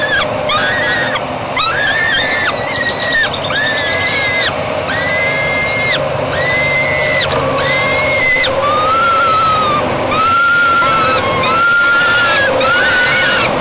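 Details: Falcons at a Great Spirit Bluff nest box on 28 May 2013, early evening, as the father passes the mother food on top of the box; a run of separate, harsh, drawn-out wailing calls, roughly one per second.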